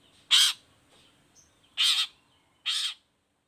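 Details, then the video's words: Long-tailed shrike in lively song, used as a lure recording to make other shrikes answer and sing: three loud, harsh, rasping bursts, each under half a second, spaced about a second apart, with quiet pauses between. "CENDET GACOR❗PANCINGAN CENDET EFEKTIF BUAT CENDET BAHAN SEKETIKA LANGSUNG NYAUT IKUTAN BUNYI"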